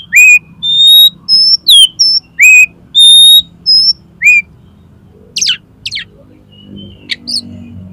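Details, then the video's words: Oriental magpie-robin song for tutoring and prompting contest birds to sing: bright level and downslurred whistles repeated in a lively run, then fading into softer, quick, scratchy twitters and thin notes. "SUARA KACER INI COCOK UNTUK MASTERAN DAN PANCINGAN KACER LOMBA AGAR MAU BUKA PARUH"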